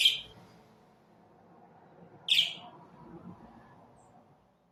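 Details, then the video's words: Budgerigars tweeting, two bright, high chirps about two seconds apart over a low, steady background hum. "صوت تغريد طيور البادجي"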